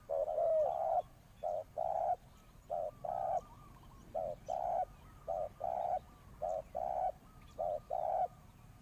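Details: Spotted dove kept as a decoy to call in wild birds, cooing in a steady rhythm: about seven pairs of short then drawn-out low coos, evenly spaced, with faint background noise only.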